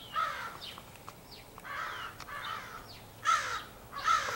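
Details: A large extended crow family on 4 April 2015, apparently pairing up; rasping, drawn-out caws repeat roughly every second, near and far birds alternating, with a couple of louder calls toward the end.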